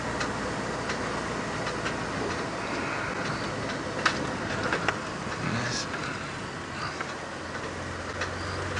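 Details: A steady vehicle rumble with scattered clicks and ticks, and no clear animal voice.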